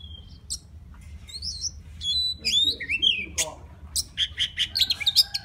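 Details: White-rumped shama from the wild singing to call a female: a varied run of clear whistled notes, some sliding up or down, then a quick series of short bright chirps near the end.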